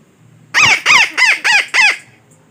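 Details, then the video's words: Parakeet trapping lure: a run of five harsh, nasal squawks at an even fast pace, each note arching up and down, loud and dry. "Suara Pemikat Burung Betet yang Sangat Ampuh"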